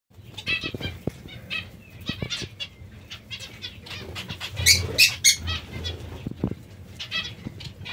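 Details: Zebra finches eating vegetables give short nasal, harmonic-rich call notes in quick irregular bursts, with a louder cluster near the middle; soft thumps and wing flutters sound underneath.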